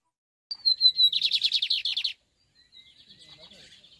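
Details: Lined seedeater (bigodinho) song, a bird from Brazil: a clear descending whistle, then a fast run of buzzy, repeated high notes for about a second, followed by a softer trilled phrase.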